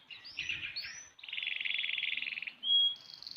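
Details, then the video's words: Six-month-old canary kept as a songbird, singing a varied phrase: a few rising whistled notes, then a fast buzzy trill lasting over a second, a clear pure whistled note and a higher thin note. "KENARI MUDA GACOR//Kenari umur 6 bulan udah kayak gini !!"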